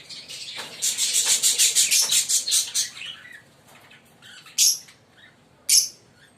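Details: Pair of green Fischer's lovebirds chattering: a rapid run of shrill, high chirps about three per second for two seconds, then two loud, piercing squeaks spaced a second apart.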